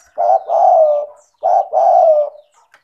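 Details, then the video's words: Spotted dove cooing, a lively 'gacor' bird meant to prompt idle doves to sing: two clean phrases, each a short low hoot then a longer, smooth, slightly falling coo, about a second apart. "Pancingan bunyi suara burung tekukur gacor cocok untuk terapi tekukur malas bunyi"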